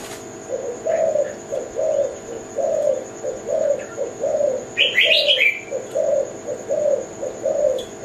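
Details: Zebra dove, Kelantan type, giving a string of low soft coos in quick uneven succession while another small bird chirps a brief bright twittering burst midway, over a steady high-pitched hum.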